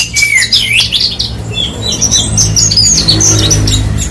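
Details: Horsfield's bush lark (branjangan) giving rapid, scratchy high chirps and whistled phrases over a noticeable low rumbling hum.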